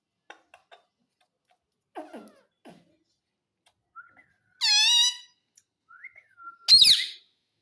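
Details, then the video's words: Pet Indian ringneck parakeet indoors in a small room, taught to say mummy and papa; clear harmonic squawk around 4.6 seconds and a loud harsh squawk near 6.8 seconds, with softer chatter and a short whistled note between. "Talking Parrot Mummy Papa"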